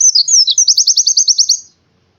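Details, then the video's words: Oriental white-eye in the morning; a high, thin twittering phrase that opens with slurred notes and runs into a rapid series of about a dozen evenly spaced sharp chips, ending abruptly. "suara burung pleci di pagi hari"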